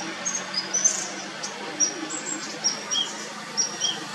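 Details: A female chestnut-bellied nuthatch (Sitta cinnamoventris) gives thin, very high, squeaky single notes, scattered irregularly about twice a second over a soft steady hiss.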